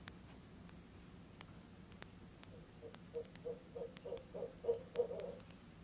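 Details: Barred owl at a nest box in October, around 7 pm, out of season, with its mate joining in: after scattered clicks, a rapid series of low hoots rises in loudness, about three per second.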